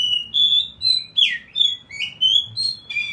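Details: Ngeplong bird song used to train a magpie robin: a steady, rapid train of high whistled and buzzy slurred notes, about three per second, with no pauses.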